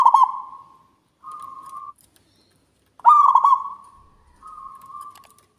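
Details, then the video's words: Local zebra dove singing steadily, its voice described as big and loud, carrying far. Two phrases, each a stuttered, throaty burst that fades into a drawn-out tone and is followed by a short, steady, even coo. "PERKUTUT LOKAL GACOR, SUARA BESAR NYARING SAMPAI KEMANA2"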